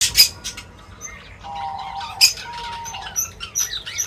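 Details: Birds feeding, heard as bright high chirps and short rising whistles scattered irregularly, with a steady lower whistled tone held for about a second in the middle and faint rustling throughout.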